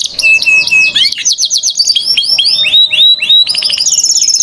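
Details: Domestic canary singing, a master recording meant to coax young canaries into song: a steady high whistle, then fast runs of downward-swept notes and bright trills, the phrases rising and changing in quick succession.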